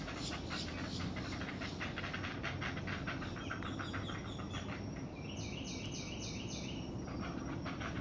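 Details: Nest of great blue heron chicks anticipating their mother bringing breakfast: fast series of harsh, clicking, ratchet-like pulses, pausing midway while a few brief whistled notes from another bird sound, then the rattling resumes over constant noise.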